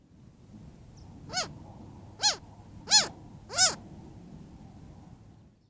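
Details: A young Cooper's hawk at a watering hole in hot weather, complaining to its mother, apparently to be fed: four harsh, nasal, downslurred squealing calls spaced about a second apart over a low rumbling background.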